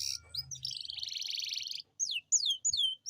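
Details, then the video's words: Captive Atlantic canary singing a long rolled phrase intended to spur lazy canaries: a sustained rapid buzzy roll for over a second, followed by several loud descending whistled slurs. "Pancingan kenari gacor ngerol panjang dan pancingan kenari malas bunyi pasti"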